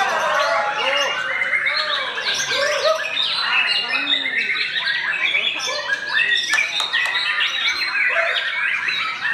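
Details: Young murai passing time before the Ramadan fast-break, not yet a champion but with charming style, pouring out a dense, fast stream of varied chirps, trills and rapid whistles, with lower curved squawk-like notes mixed beneath.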